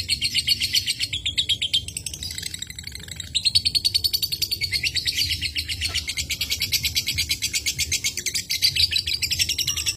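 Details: A lovebird chatters in a long, unbroken run of rapid, shrill, high chirps, many per second, with no other sounds standing out; the recording is used as a lure to set lovebirds chattering.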